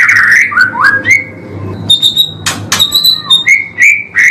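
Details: Murai batu, the white-rumped shama, singing 'pastol' material on a training recording for caged birds: varied slurred whistles dipping and rising, short high clear notes, and sharp clicks between phrases.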